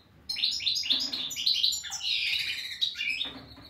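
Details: Twittering song of a European goldfinch: a continuous string of quick, high chirps and trills with buzzy slurred notes mixed in, carrying on for over three seconds.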